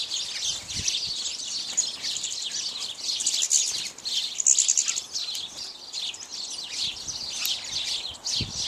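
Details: A flock of house sparrows, mostly males with at least one female, feeding on bird seed; dense overlapping high chirps and cheeps chattering continuously throughout.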